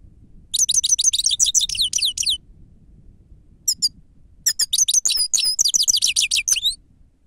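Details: Lure song of a grey-crowned goldfinch, labelled sava: long, rapid runs of bright, high twittering and trilled notes, a brief pause with a few single chips, then another dense twittering burst.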